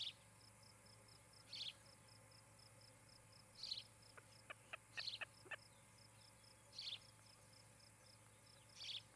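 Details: Osprey at a nest in Charlo, Montana, on a camera on a July evening in 2018; six high chirping bursts spaced one to two seconds apart, a quick run of clicks midway, and constant high insect pulsing.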